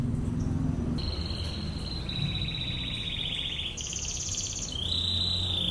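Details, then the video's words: Canary 'tembakan ngebren' master song: steady, high buzzy trills held for a second or more, jumping between pitches, partly masked by constant low background noise. "MASTERAN BURUNG KENARI//TEMBAKAN NGEBREN"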